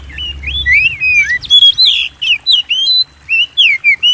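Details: White-rumped shama song meant to spur kept birds into singing: a lively stream of looping whistles and bright slurred notes, with short gaps between phrases and faint low rumble underneath.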